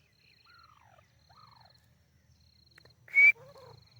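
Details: Captive-bred white francolin (teetar) from a home breeding in Pakistan: two soft downslurred notes, then an abrupt loud piercing note and a short lower harmonic call, over a faint pulsed background tone.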